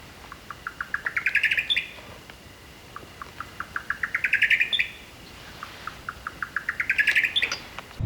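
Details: Buff-collared nightjar calling at night in southeastern Arizona, giving three phrases of clipped notes that speed up and climb in pitch, each ending in a sharp higher flourish.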